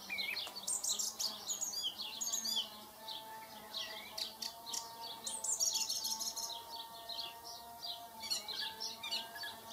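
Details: Song thrush singing, a dense run of sharp, varied chirps and whistled notes delivered in quick bursts with brief pauses, some high clipped phrases, over a faint steady low hum.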